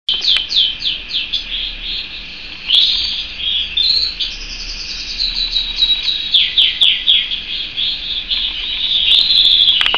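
A canary sings a long, bright song of rapid repeated trills and sweeping high notes, changing phrase every second or two with hardly a pause.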